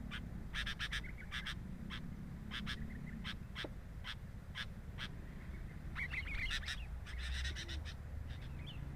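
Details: Sooty-headed bulbul at the nest, captured by a nest camera: scattered raspy bursts, then a livelier stretch mixing harsh notes with a few thin tonal chirps, over a low rumbling hum.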